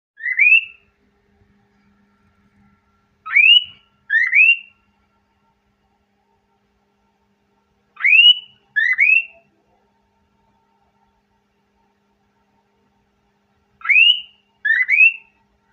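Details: A male cockatiel, excited and wanting to mate, whistles short rising phrases in pairs while courting a hesitant female.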